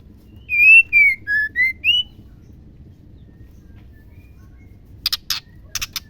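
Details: Caged female white-rumped shama, used to rouse male shamas into song, whistles a five-note phrase of clear notes that dip and then rise at the end. Several brief clicking chips follow after a pause.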